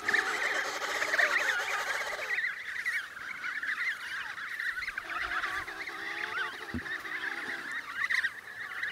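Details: Emperor penguin chicks in Antarctica, eating snow for hydration; a crowded chorus of overlapping whistled, warbling calls wavering up and down in pitch, continuous throughout with no pauses.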